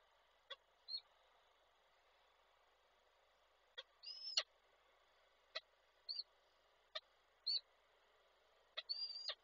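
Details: Male peregrine falcon bringing a prey gift and calling the female, Koszalin, Poland, 16 February 2024, from an online falcon camera; short thin high whining notes with sharp clicks, scattered over nine seconds against steady hiss.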